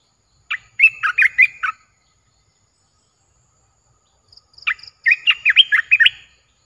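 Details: Caged streak-eared bulbul, a new bird, in Thailand. It sings two bursts of bubbly, chattering notes, each about a second long, separated by a long silent gap. Faint low hum underneath.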